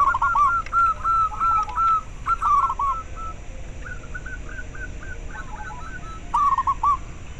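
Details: Local zebra dove calling, meant to spur breeding drive and singing in caged doves and to lure birds: bursts of short, rapid upslurred cooing notes, a louder run opening and another near the end. Softer notes fill the gaps.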